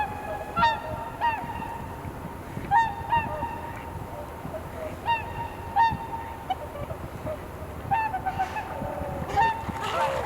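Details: Blue-hour dawn on Kotoku-numa pond, Japan, where a flock of swans calls: repeated honking 'koo' notes, roughly every second or two, ringing and nasal, over steady wind noise picked up by a camera microphone.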